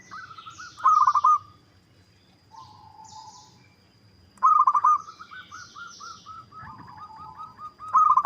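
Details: Zebra dove, local type, recorded as a lure to make rivals answer: loud beaded cooing phrases recur every few seconds, one trailing into a long wavering trill, with high chirps from other birds.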